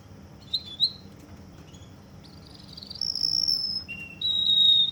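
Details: Russian canary in Kuwait singing long, pure, high rolled tours: a brief twitter, then sustained trills stepping up, down and back up in pitch, each held for about a second.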